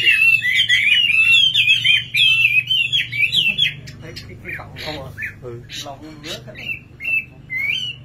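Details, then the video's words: Singing nightingale pours out a dense, quick, squeaky warble for several seconds; then people talk while the bird adds a few scattered short notes. "Singing nightingale. amazing bird song"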